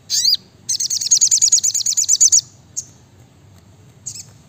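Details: Brown-throated sunbird (sriganti, sogok ontong) opening with a sharp sweeping chip, then a rapid even trill of roughly fifteen high buzzy notes lasting nearly two seconds, followed by two lone chips.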